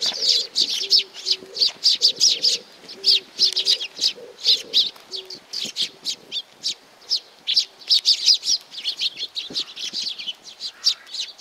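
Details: A group of sparrows arriving for food at Tenmangu shrine, Nakanoshima, June 2020, gives a long run of bright, clipped chirps in quick bursts; pigeons coo softly early on.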